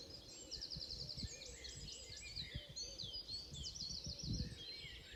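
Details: Forest birds near Moesgaard Museum at Beder, Aarhus, Denmark. High rapid trills and chattering phrases overlap, with several singers. Dull low thumps and knocks sound underneath.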